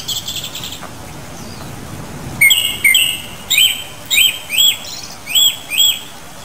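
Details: Japanese thrush (Turdus cardis) giving a series of clear whistled notes about every half second, each briefly rising then falling, rich in overtones. Faint high chirps come first, then a steady hiss underneath.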